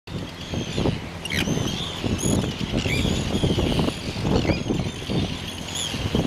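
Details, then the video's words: Arctic terns on Inner Farne, Farne Islands, Northumberland, UK, 6 June 2013, filmed with a Canon PowerShot SX30 IS: scattered harsh, arched high calls from several birds over constant loud wind rumble. "Arctic Tern (Sterna paradisaea)"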